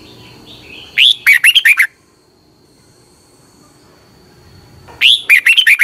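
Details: Caged Red-whiskered bulbul, a Thai bird, singing for morning training of other caged birds: a short burst of five or six liquid, bubbly whistled notes, repeated after a pause of about three seconds, with a faint steady tone behind.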